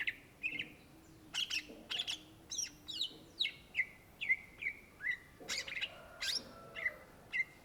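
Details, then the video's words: Greater green leafbird singing vigorously, a cucak ijo: sharp clicks and chirps followed by a steady series of short, descending whistles, each repeated about twice per second. "SUARA BURUNG CUCAK IJO GACOR , TELER"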